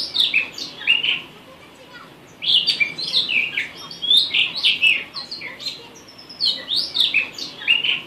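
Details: Blue rock thrush song, Monticola solitarius, as a tutoring track: sweet whistles with a harsh edge in repeated phrases of about a second, separated by short pauses over faint background hiss.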